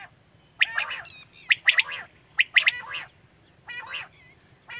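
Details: Quail call used in Pakistan to lure quail for night hunting: harsh, buzzy, squawking bursts in pairs and triplets, repeated about every second, with faint high chirps in the background.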